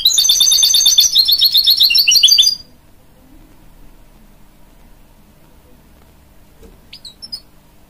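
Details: Hybrid goldfinch bred from a canary and a goldfinch, singing to young chicks: a fast, even, high trill of rapidly repeated notes lasting over two seconds, then near silence broken by one faint chirp.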